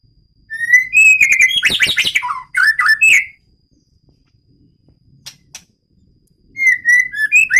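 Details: A White-rumped shama of the Medan type in a breeding aviary opens with a bright whistle, then dense chattering and slurred notes; after a pause with a few soft ticks, fresh clear whistles resume.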